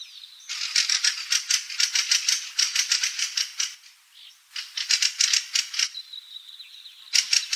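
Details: Fieldfare, formerly called Krammetsvogel, recorded in 2017: long bursts of harsh, dry chattering rattles, rapid clicking pulses in runs of about a second with short gaps and one brief pause near the middle.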